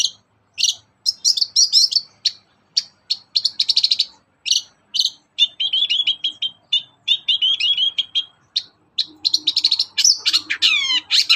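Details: Long-tailed shrike singing loudly in the morning as a lure for other shrikes: crisp, varied phrases of rapid chips, warbled trills and repeated slurred notes, ending with fast descending whistled sweeps, against a clean, quiet background.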